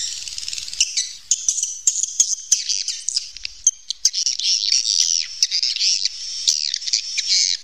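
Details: Natural cave recording of swiftlets: thin, high chirps and squeaky twitters overlapping in an irregular chatter, with a few sharp ticks.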